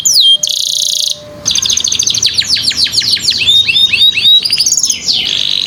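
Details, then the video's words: Canary song played to prompt young canaries to sing: a high whistled opening note, a dense buzzy block, a brief pause, then fast rolling trills of downslurred notes that shift through several distinct repeated phrases. "Kenari ISIAN MEWAH dan JERNIH cenkok JAWARA || Pancingan KENARI PAUD malas BUNYI"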